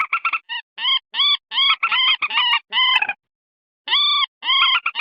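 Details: Edited lure recording of common moorhen: rapid runs of harsh, nasal, clucking notes in clusters, a brief silent pause, then more drawn-out honking notes, no other sounds, meant to draw wild moorhens near in swamp, paddy or open water.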